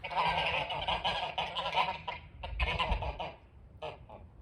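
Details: Snow geese making noise by a front porch: a dense burst of loud, nasal honking from many birds that thins out to a few scattered calls at the end.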